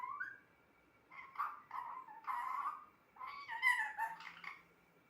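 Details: Pet parrot talking indoors: several bursts of harmonic, voice-like syllables with a nasal, speech-like tone, separated by short pauses, ending in a quicker jumble of higher syllables.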